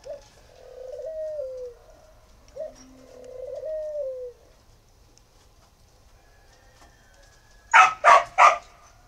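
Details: Spotted dove from northern Vietnam, from a dove-breeding farm in Ba Vì, Hanoi: two soft, low cooing phrases, each a short note and then a longer wavering coo that falls at the end, followed by three loud harsh bursts.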